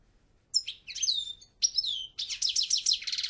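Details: Twittering European goldfinch song: clipped high notes and downward slurs, building into a continuous rattling, buzzy jumble of syllables near the end.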